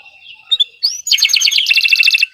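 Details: Canary song in gacor style. Soft scattered notes open, then comes a rising whistled slur. A dense, rapid trill of bright chirps follows, ending in a second fast rhythmic roll before falling silent.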